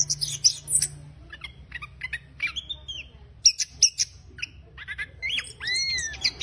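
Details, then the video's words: Rough ngeriwik chattering of an Orange-headed thrush, meant to prompt a silent bird to sing: scattered sharp high chips and brief buzzes separated by pauses, with looping whistled slurs near the end. "ANIS KEMBANG NGERIWIK KASAR UNTUK PANCINGAN ANIS KEMBANG MACET"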